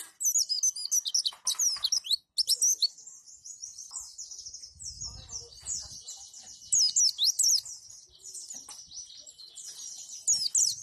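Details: Roll tembak and wituwit song of a white-eye (pleci), meant as a model for training other birds to imitate. Dense, high-pitched twitters and quick descending whistles stream on, peaking in loud bursts, with a faint low rumble partway through.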